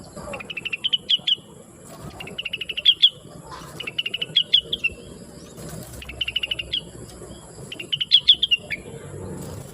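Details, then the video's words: Blue-winged leafbird singing busily, used to train other songbirds. Softer here, it gives short clusters of quick, sharp chirps about every one and a half seconds over a steady hiss. "Rengganis / Cucak Wilis Gacor Cerewet Suara Merdu"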